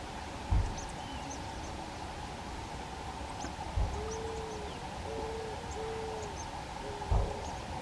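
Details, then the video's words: On a frosty July 2024 winter day on rural roads in Monte and Lobos, northeastern Buenos Aires province, a male Eared Dove on a power line inflates his chest and gives a low, soft cooing phrase of about four drawn-out notes, with hum and dull thumps. "the power line a male Eared dove emitted its grave vocalization, while inflating his chest."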